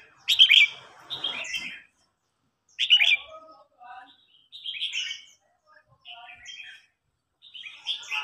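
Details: Red-whiskered bulbul singing in a contest, a mature bird challenging a young bird: loud, rich warbled whistled phrases in bursts about every one to two seconds, each a quick jumble of slurred notes.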